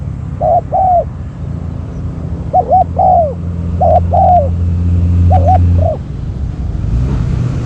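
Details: Spotted dove kept as a decoy for luring wild doves. Four paired coo phrases with a gap after the first, set against a strong, steady low engine drone that fades near the end.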